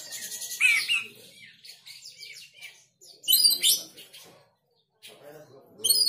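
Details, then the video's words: Oriental magpie-robin, riled up and joining in the sound: loud sharp rising and falling whistled notes in bursts, with pauses between the phrases. "Kacer mana yang gak emosi dan ikut bunyi"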